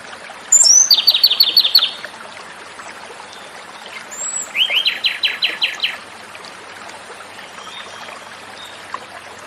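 Japanese robin singing two phrases, each a high whistled note followed by a rapid rattling trill of about eight notes; faint running water behind.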